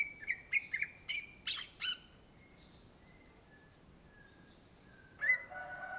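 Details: Greater green leafbird, the cucak ijo of Indonesia, singing energetically. Quick whistled notes come in a burst, then a brief pause with faint soft tones, then a loud rich whistle near the end.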